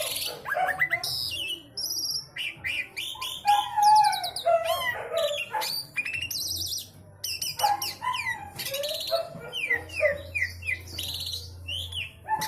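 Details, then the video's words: Javan pied starling (jalak suren jawa) singing a song packed with varied fill-in phrases, described as 'isian sekebon kacang': rapid, jumbled chirps, whistles and harsh notes in dense bursts, with a steady low hum underneath. "jalak suren jawa / javan pied starling isian sekebon kacang"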